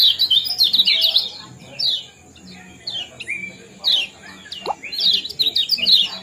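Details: Kecial kuning (yellow-bellied white-eye type) chirping song used to bring birds into breeding condition, a ciak-ciak and jos combination; high rapid twittering bursts with sliding whistles, pauses between phrases, faint low hum behind.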